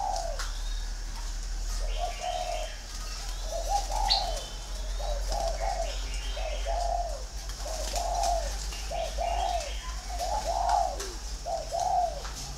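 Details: Green pigeon giving short, arched, whistled coos in uneven pairs and runs over a constant low hum, with a few faint higher chirps.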